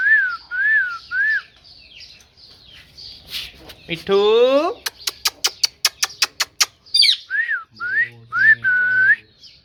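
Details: A parrot runs through whistled dipping notes, a long buzzy rising squawk, a fast burst of clicks and more speech-like whistles, ending in a drawn-out whistle.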